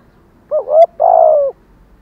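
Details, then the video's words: Caged decoy spotted dove of the 'giọng thổ' voice style gives a quick double-note coo followed by a long, drawn-out, slightly falling hoarse coo, low and mellow. "Chim Cu Mồi, cu gáy giọng thổ đảo bài liên tục/ Thúc + Gù + Gáy Gọi"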